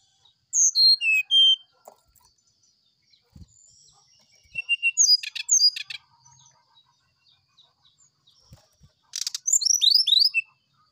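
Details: Morning flute-style sulingan singing by a brown-chested jungle flycatcher, played as a training recording for other birds: three separate phrases of high whistles, each sliding downward in quick steps, with scratchy clicks between them.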